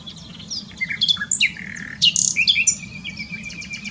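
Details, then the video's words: In the Eifel near Dohr, Germany, a common nightingale produces a rich medley of whistles, swoops and harsh accents, ending with a sustained lower trill. "Nightingale singing. Nachtigall singt."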